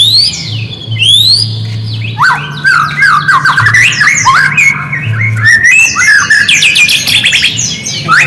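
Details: Lure song of a white-rumped shama meant to provoke silent shamas into answering: rapid rising whistled sweeps, then a busy stream of clear slurred notes and chirps, with a constant low hum underneath.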